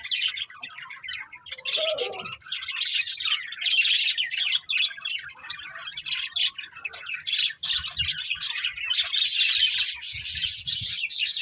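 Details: Budgerigar breeding pair chattering steadily, a busy stream of rapid, high, scratchy chirps and squawky notes throughout, with a few soft low knocks in the background.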